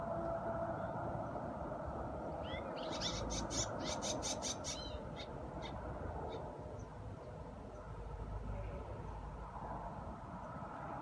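Swallow giving a quick burst of high, scratchy twittering notes for about two seconds, then a few scattered chips, over a steady low rumble of wind or traffic.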